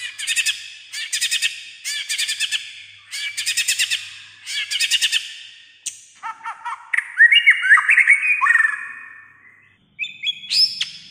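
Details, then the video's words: White-rumped shama, said to sing nearly all day in many voices; five harsh rapid chattering bursts, then a varied phrase of stepped whistled notes and a few high sharp notes. "chòe lửa sẻ hót cả ngày"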